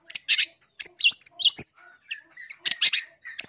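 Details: Clear long-tailed shrike song used as a lure for trapping birds: harsh, scratchy chattering bursts mixed with short whistled notes, delivered in quick clusters separated by brief pauses.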